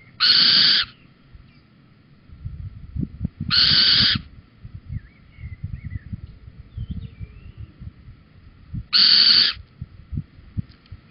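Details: Little owl at Holten on the evening of 4 May 2020 at 21:16, a male bringing a cockchafer before the pair leave together; three loud, harsh, screechy calls about half a second long, several seconds apart, with soft rustling between.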